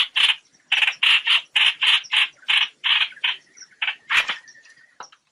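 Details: Flock call of a trao trảo bird, used as a net-trapping lure: grating notes in quick runs, slowing and thinning into a few scattered calls and a faint thin whistle at the close.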